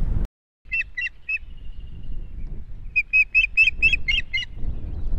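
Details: Osprey at its nest in Estonia, 2018: a short run of three clear whistled notes, then a longer series of about eight sharp, evenly spaced whistles that grow louder, over a low steady rumble of wind.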